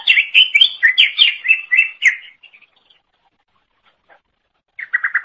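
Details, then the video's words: Cucak ijo, the greater green leafbird, in full song for tutoring songbirds: a fast run of bright slurred whistles over two seconds, a long silence, then a short burst of buzzy chirps. "Kicauan Super Cucak Ijo Gacor Untuk Masteran"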